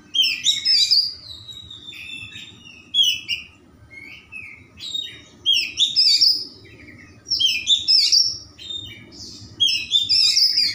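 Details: Oriental magpie-robin (kacer) in full, rich song with mimicked phrases, used as a lure to get slow-warming magpie-robins singing: bursts of varied bright whistles, trills and slurred notes in phrases of one to two seconds, separated by short pauses, over a faint low hum.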